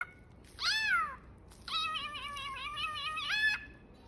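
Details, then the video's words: A cockatiel mimics a cat: a short falling meow, then a longer, wavering, nasal meow-like cry lasting nearly two seconds, with no other sounds. "Cockatiel Cat"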